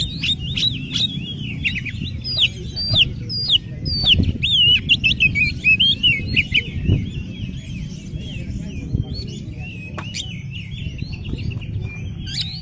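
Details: Oriental magpie-robin in full vigorous song, used as a lure to set off rival birds; rapid runs of bright, twisting whistled notes about once a second, loud and varied, over a constant low hum.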